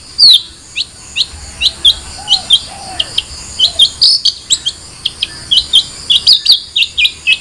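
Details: Long-tailed shrike singing a chattering sequence of high, quick chirps and twittering notes, with a few soft, low, whistled slurs mixed in.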